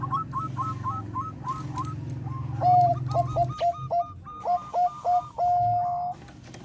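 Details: Melodious Bangkok-type zebra dove song, used to stimulate breeding condition: a faint series of quick notes, then loud clipped coos in uneven bursts ending in a sustained rolling trill, with low hum beneath.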